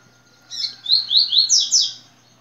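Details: One tui-tui song phrase from a yellow-bellied seedeater. A buzzy opening note leads into five crisp, high, sliding whistles that climb, with the final pair the brightest. A steady faint hum continues behind it.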